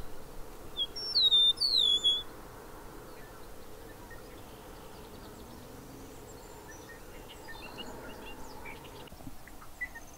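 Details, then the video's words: Bobolink opening with loud, high, falling slurred whistles for about a second, then only faint distant chips over a constant low hum. "Bobolink calls and songs"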